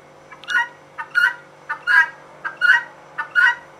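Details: Female guineafowl calling: harsh two-part squawks, each a short note followed by a louder broad burst, repeated steadily about every 0.7 seconds, six calls in under four seconds against a faint steady hum.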